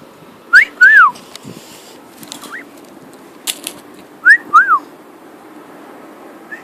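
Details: Male cockatiel kept as a pet whistles on the wing: a pair of arched notes, a lone rising note, then another pair, separated by near-silence and a few clicks.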